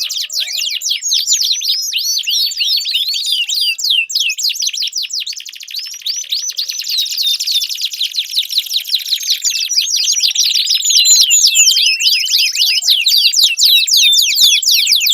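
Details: Extended canary song played to stimulate a non-singing canary: varied high trills, a long buzzy rolling section, then bright rapid chirps and slurred notes running continuously.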